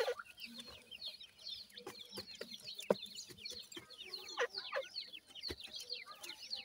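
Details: Francolin chicks of two kinds, dakhni and desi teetar, kept in care and feeding: rapid streams of thin downslurred cheeps fill the background, broken by occasional sharp taps.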